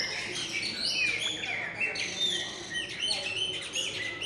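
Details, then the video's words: Chopi blackbird in its mating phase, building a nest on the roof of a gas station canopy: lively run of varied whistled and chattering notes with sliding rising and falling slurs, phrases overlapping closely, over a low steady background hum. "PÁSSARO PRETO EM FASE DE ACASALAMENTO"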